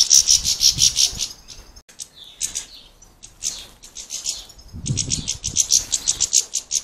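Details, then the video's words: European goldfinches squabbling and fighting over access to a sunflower-heart feeder in an Irish village, giving rapid, high tinkling twitters and sharp chattering notes in bursts, with brief pauses between outbursts. "Grumpy, greedy European Goldfinches squabbling around a bird feeder"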